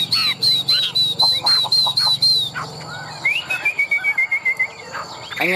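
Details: Chinese hwamei, tame and large, a good fighting singer, repeats a clear high whistled note about four times a second, then slides into a long falling trill of quick notes, with some clicking strokes between.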